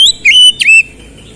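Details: Oriental magpie-robin giving a brief loud song fragment: a high note, a sustained level whistle, then a second whistle that dips and rises again.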